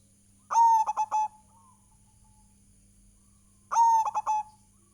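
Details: Zebra dove song used as a lure: two identical bursts, each a clear cooing note near one pitch followed by three quick stuttered coos, about three seconds apart, against a faint steady hum.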